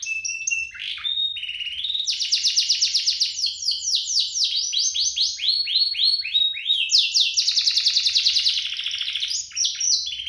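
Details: A pair of vigorous domestic canaries sings nonstop, the kind of song played to get canaries singing. Long rolling trills of rapid repeated notes run into each other, broken by short whistles and rattles.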